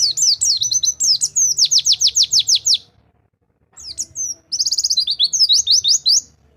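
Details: A rol tembak white-eye song used for white-eyes that have stopped singing. Fast, regular series of shrill, falling notes come in two long bursts, with a gap of near silence between them.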